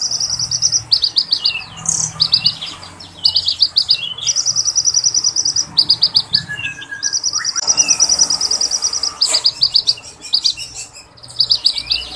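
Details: Energetic Oriental magpie-robin song used to spur other magpie-robins into singing: repeated bursts of fast, sharp high chips, extended steady trilled rolls, scattered lower slurred whistles and a short mid-pitched note series, above faint background hum.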